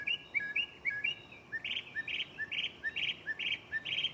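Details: Mockingbird singing at night from a tree right beside the recorder: quick paired upslurred chirps, then a run of repeated two-part notes, a low slur followed by a bright burst, about two per second.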